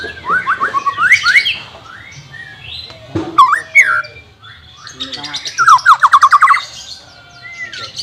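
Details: Song of the white-rumped shama, for training a reluctant singer: quick rising whistled notes in a fast series, a gap, a single sharp note, then another rapid burst of repeated rising whistles.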